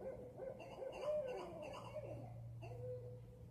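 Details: Owl calling late at night just outside a window in a front yard, with soft, low, hollow hoots repeated in short phrases, over a steady low hum.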